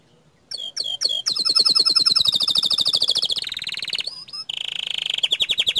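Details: Bottle-green canary giving its bursting tutor song that provokes other canaries: a few sharp chips, then a long loud rapid high trill, a rising slur, and a further fast rolling burst.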